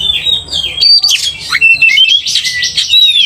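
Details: Oriental magpie-robin provoked to aggression by another loud-singing magpie-robin: dense, fast run of high whistled and scratchy notes, rapid slurs and trills packed closely, with sharp upward and downward sweeps and a faint low hum underneath.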